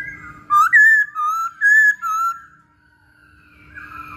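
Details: Masked laughingthrush singing in a training lure: five loud, clear whistled phrases, some rising and some wavering, in quick succession, then a quiet pause and faint whistles returning.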